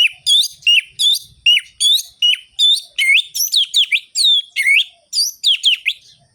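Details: Orange-headed thrush delivering fast, rhythmic ngerol-ngeplong song to rouse sluggish birds: a steady stream of about twenty short, looping whistled notes, some rising sharply, repeated roughly three times a second.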